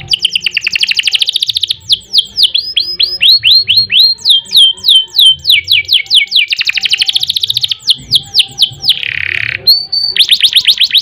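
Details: Long, dense canary song of rapid repeated syllables, rising and falling sweeps and fast trills, broken by a short harsh buzzy note, over a low background hum, used as a training recording.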